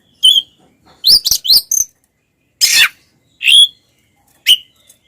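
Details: Oriental magpie-robin fighting song to provoke other males: a few sharp whistled notes and harsh rasping bursts separated by short silences, sparse and punchy.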